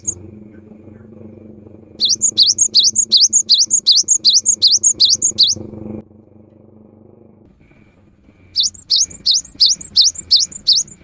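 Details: Cinereous tit singing in the afternoon, a song said to prompt other tits to join in: two bursts of rapid, high, repeated two-part whistled notes, about ten in the first run and seven in the second, with a quiet pause between.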